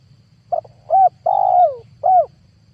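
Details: A spotted dove used as a decoy for wild doves, recorded in 2022. It gives a single four-part coo: a short staccato note, a brief coo, a long downward-sliding coo and a closing short coo, with a soft low hum behind.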